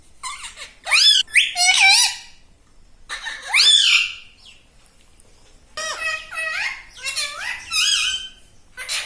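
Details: Talking parrot at home chatting in imitation of human words like "Mummy" and "Papa": clusters of sharp, wavering, harmonic syllables rising and dipping in pitch, grouped into three phrases separated by short silences, in a small room.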